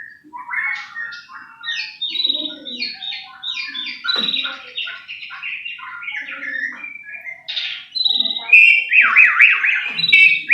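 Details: Lure recording of white-rumped shama song meant to excite kept birds into singing. Dense, rapid, varied phrases of high chirps, trills and whistles run continuously, building to louder swooping notes near the end.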